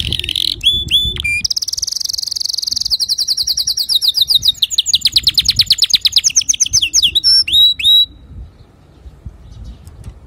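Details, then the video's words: Male canary song meant for tutoring young canaries: opening whistled notes, a long sustained buzzy trill flowing into fast rolling repeated notes, ending in sharp upswept chirps, clear with little background. "تغريد ذكر كناري صافي لتعليم صغار الكناري"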